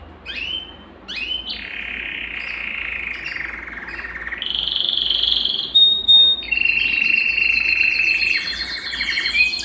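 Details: Song of a Belgian canary, played to excite males and condition hens: quick upward notes, then buzzy rolls. Brief pure whistles break in near the middle before another sustained trill follows.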